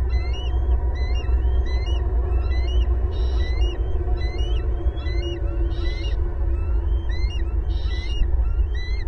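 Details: Loud bald eagle family chorus at the nest, Southwest Florida eagle cam, April 18, 2022, four eagles at home; long stream of overlapping high piping chirps and squeals, dense rapid bursts, over a constant low rumble.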